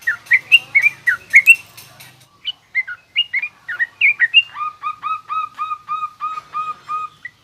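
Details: Yellow-vented bulbul singing garuda and rough ngriwik styles, aimed at teaching young birds: loud bubbly chirps at first, then scattered notes leading into a rapid even string of short repeated ringing notes.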